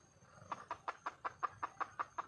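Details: Wild junglefowl hen calling for a mate, a steady string of nine clipped clucks at about four per second.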